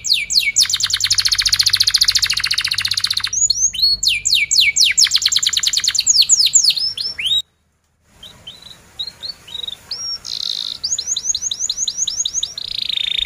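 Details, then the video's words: Canary in full chatty song for teaching young or mute canaries: a long dense rolling trill and rapid swept notes, a brief pause, then scattered chirps building into another quick trill. "Kenari gacor cuit cuit NgeroL, Pancingan kenari paud belajar bunyi,Pancingan Kenari BISU Susah Bunyi"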